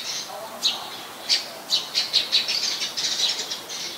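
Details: Eurasian tree sparrow recorded 10 May 2020 in Ubon Ratchathani, Thailand: a quick burst of bright, high, clipped chirps, a few spaced notes speeding into a rapid chattering series.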